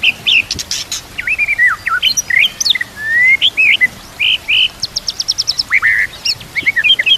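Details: Bright, busy white-rumped shama song with kapas tembak and cililin canary imitations, recorded to train other birds: sharp clicks, rapid repeated high notes and curved whistled slurs, one long steady whistle in the middle.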